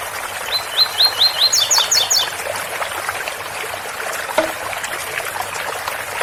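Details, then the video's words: Tui-tui song of a double-collared seedeater, Ouro Fino style, with a water spout in the background: a run of five quick rising whistled notes, then a few higher sharp notes, over constant trickling water. "Tui Tui especial coleiro Ouro Fino com som de bica"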